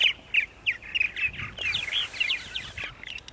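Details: A close, busy run of purple martin chirps, about three per second, on the morning of April 14, 2012, in Center Moriches, Long Island, New York, with faint low rumbles beneath.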